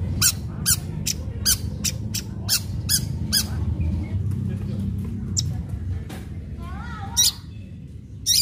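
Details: Long-tailed shrike delivering aggressive fighting-style song as a lure for other shrikes: harsh, crackling bursts spaced about every half second, then a pause and a wavering, warbled phrase, with a low rumble underneath.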